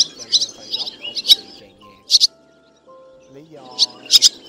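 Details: Roost-calling black white-bellied swallows, male and female, used to draw birds to nets and glue traps in August 2024: a quick twittering series, paired sharp chirps, then a burst of chirps, with steady low tones behind.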